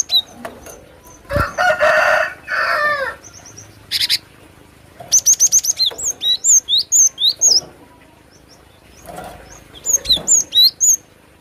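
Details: Cinereous tit song: rapid series of high, thin whistled notes that slur downward, repeated in quick runs. Earlier in the recording there are louder, harsher rasping bursts of other sound.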